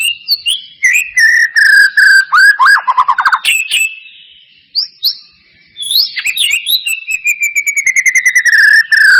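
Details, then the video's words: Lure song of a white-rumped shama, meant to spark a quick singing response: bright chirps, a long descending whistle, a fast rattling trill, a quiet gap, then sweet upslurred notes and a long falling whistle. "Pancingan murai batu mancet bunyi ‼️ pancingan murai batu males bunyi‼️respon cepat"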